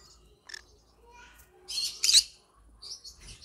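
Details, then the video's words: Yellow-sided green-cheeked conure with scattered soft clicks and chirps, then a loud, rough, drawn-out squawk, ending in buzzy high notes. "Yellow Sided green conure singing sounds"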